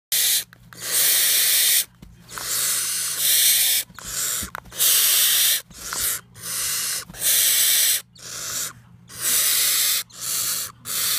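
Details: Captive barn owl (Tyto alba) chick hissing angrily at the camera as a threat display: long, harsh, breathy hisses of one to two seconds each, with short pauses between them.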